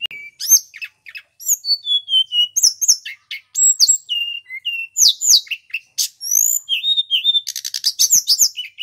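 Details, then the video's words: Energetic male Sunda robin song for tutoring magpie-robins: dense stream of high slurred whistles, sweeping notes and sharp chips, ending in a fast rattling trill and further level whistles. "Suara Tledekan Gunung GACOR"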